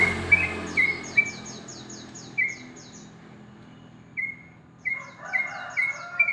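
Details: Sooty-headed bulbul in the morning, sparse ropel-style song: isolated sharp whistled notes with pauses, then a closer burst of notes near the end, plus faint high descending twitters and a low background murmur.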